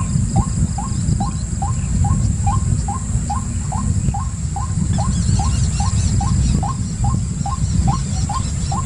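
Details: White-breasted waterhen calling tirelessly: over twenty short, rising, hooked notes at a steady rhythm, with a brief wavering higher bird twitter partway through and deep rumble throughout.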